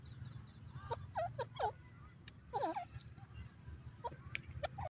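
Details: Calls of a male teetar, or francolin: bursts of loud wavering, twisting notes in quick groups, a pause, then another tight cluster and a few scattered single notes, with a constant low rumble behind.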